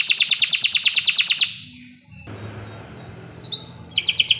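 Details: Canary singing a master song for birds in training: a loud fast pulsing trill for about one and a half seconds, a pause with faint background noise, then a high upslurred note leading into another quick trill.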